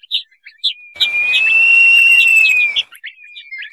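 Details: Crested partridge lure call used to attract the birds: a long, steady, clear whistle held for nearly two seconds, flanked by short high chirps and a faint trailing whistle.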